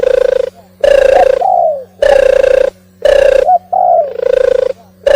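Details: Oriental turtle dove singing: loud, harsh, buzzy coos in blocks of about half a second, some followed by short falling slurred notes, with brief silences between, over a steady low electrical hum.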